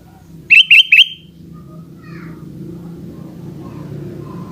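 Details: Three quick rising whistled notes from a sooty-headed bulbul in the afternoon, then fainter distant chirps as a steady low traffic-like rumble continues.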